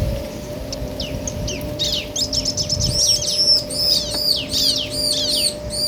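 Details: Male and female bar-winged prinias, a clear ngobra-style exchange: soft scattered notes build into rapid, evenly repeated bright arched chirps, roughly two and a half per second, above a continuous low hum.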